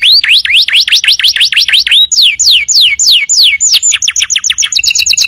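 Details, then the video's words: Canary tutor song for untrained birds: a run of rising hooked whistles, then slower falling slurs, ending in a fast, clipped, two-pitched repeated phrase. "audio masteran kenari"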